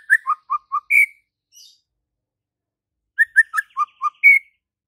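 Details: Gacor white-rumped shama, used as tutor song for shamas that rarely sing: two matching phrases of five quick, clipped whistles falling in pitch, each closing on a louder, higher sustained note, separated by two seconds of quiet.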